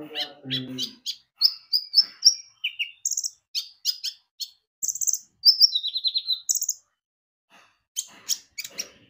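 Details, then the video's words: Javan white-eye in vigorous song, a lure to make birds sing: quick high whistled notes and short rippling trills, some descending, in an active rambling sequence with a brief low chatter at the start. "Pancingan Kicau burung konin gacor"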